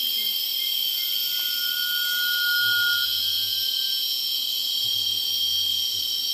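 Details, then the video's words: Rail-babbler singing at Hala-Bala, Narathiwat, Thailand, on 13 April 2014: one long, thin, drawn-out whistle held on a steady pitch for nearly three seconds, over a constant loud insect hiss and low hum. "Rail-Babbler (คอสามสี)"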